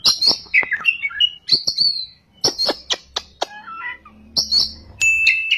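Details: Oriental magpie-robin in full gacor song, ngerol and nembak styles: a rapid medley of sharp high clicks, slurred whistles and twittered phrases with brief pauses, ending on a steady sustained whistle.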